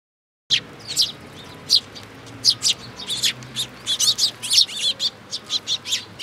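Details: Sparrows flocking to a feeding spot on a bridge railing at a Tenmangu shrine, 9 June 2022; sudden onset of rapid, bright tweets, steady chirping from several birds that grows busier toward the middle.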